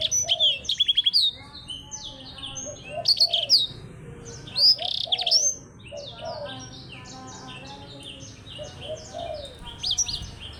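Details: Caged blackthroat in a singing match against a Java sparrow, giving loud bursts of rapid high chattering trills and slurs. The bursts fade into softer twittering, with low rounded notes underneath.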